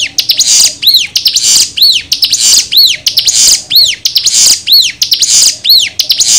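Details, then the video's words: Bar-winged prinia, called ciblek locally, in a master recording for training and luring birds: arched, high whistled notes, each followed by a scratchy buzzy rasp, in a steady rhythm of about one per second. "Pancingan Ciblek Gacor Dijamin bikin Ciblek Langsung Nyaut"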